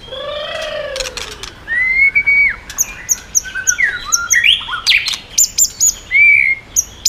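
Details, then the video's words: Song of a white-rumped shama, switching voices and flicking its tail to provoke rival birds: a low downslurred whistle, then bright rising and falling whistles mixed with scratchy high chips, repeated in short bursts. "chòe lửa hót giọng yến reo,bắn dây đảo giọng đánh đuôi kích chim cực mạnh"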